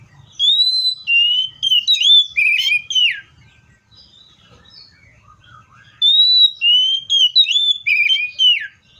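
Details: Clear, melodious whistling from a Seychelles magpie-robin: two similar phrases of varied sliding notes, each lasting about three seconds, with a quiet gap between.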